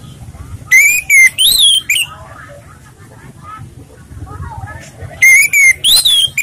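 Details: Orange-headed thrush, calm song suitable as a training lure: two separate phrases of strong, clear whistles, each a quick series of rising and falling slurred notes, separated by several seconds of near silence.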